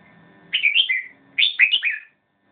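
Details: A red-whiskered bulbul delivers two quick phrases of clear, liquid whistled notes rising and falling, each about half a second long, with a short gap between them in a quiet setting.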